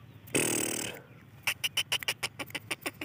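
A black francolin chick gives about a dozen thin, high peeps in quick, uneven succession, after a brief burst of harsh rustling noise.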